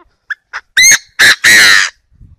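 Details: Chinese francolin decoy call used for trapping, from northern Vietnam: a few short soft notes, then three loud harsh grating phrases, the last the longest and buzziest, ending quietly.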